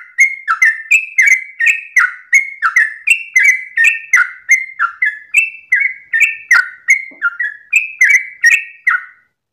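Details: Long dawn 'ropel' song of a Sooty-headed bulbul: a fast, nearly unbroken chain of clear liquid whistled notes alternating between higher and lower pitches, roughly three phrases per second, in a quiet setting.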